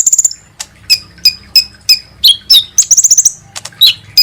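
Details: Kolibri ninja sunbird lure call for making birds sing: a quick stutter of high notes, then spaced, piercing chips about every third of a second and a brief thin trill.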